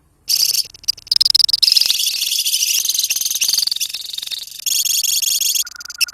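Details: A lovebird colony singing shrill, fast rattling trills in long unbroken stretches, breaking briefly into separate chirps around the middle, then resuming a steady trill before a lower whistled note closes.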